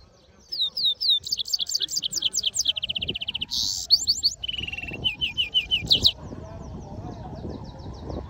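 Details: European goldfinch mule singing: fast varied song of high sweeping notes in quick repeated series, a harsh buzzy burst near the middle, then a low steady trill and more rapid whistled phrases, with faint low background rumble.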